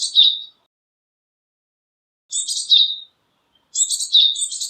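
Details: Series of Japanese tit calls, bright squeaky clusters with whistled endings, arriving roughly every one and a half to two seconds. The last phrase is longer and runs to the end.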